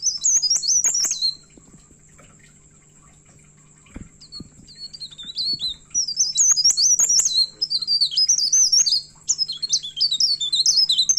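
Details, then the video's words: Myna known locally as pare pare, singing vigorously and agitated while seeking a rival: bursts of rapid, high, sharp chirped and twisting whistled notes, a pause, then a longer run of quick chirps, over a faint steady low hum. "PARE PARE GACOR NGAMUK MENCARI LAWAN"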